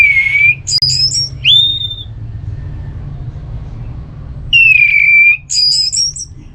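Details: Orange-headed thrush, ngeplong song meant to rouse a quiet bird into replying: a whistle, high chattering notes and an upslurred whistle, a silent gap, then the whistle and high notes repeated, over low hum.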